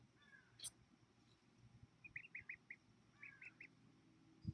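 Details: A bunch of ducklings on a summer evening, August 9, 2018, 5:46 PM, during hatching season: soft, high peeping notes in two short runs of three to four rapid peeps, over a steady low hum.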